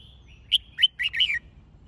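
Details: Red-whiskered bulbul singing to train birds for a singing competition: one short phrase of four to five quick, bright whistled notes that dip and rise, over a quiet background.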